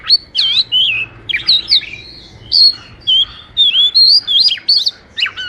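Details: Oriental magpie-robin song for training or luring birds, loud twisting whistles and quick slurred chirps delivered in clustered bursts separated by short silences.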